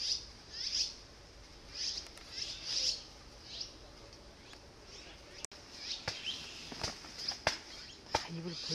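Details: Azure-winged magpie nestlings, excited as their parents return with food after a long wait and close to fledging, utter high thin chirps in bursts every second or so, over steady background hiss, with people talking near the end.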